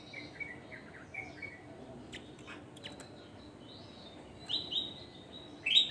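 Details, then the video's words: Javan grey-throated white-eye singing: a string of short whistled notes at the start, a quieter middle, then rising, louder twittering phrases ending in a sharp, bright high note. "Opior Jawa gacor"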